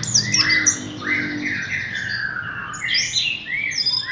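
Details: Hanging caged Horsfield's bush lark, given no prior conditioning, producing sweeping slurred whistles that rise and fall, with rough squawky notes and high sharp chips in a continuous flowing phrase.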